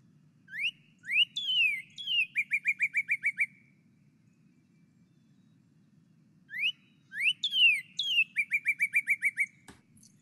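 A Northern Cardinal sings two phrases of loud slurred whistles, each ending in a quick run of about eight clipped notes, over a low steady hum.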